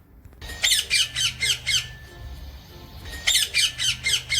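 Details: Shrill, piercing parrot squawks repeated roughly four times a second in two clustered runs, a brief lull separating them, low hum underneath.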